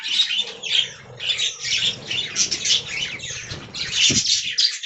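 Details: Colony of budgerigars kept in an aviary, many birds squawking and chirping at once in a continuous high, harsh, bubbling chatter.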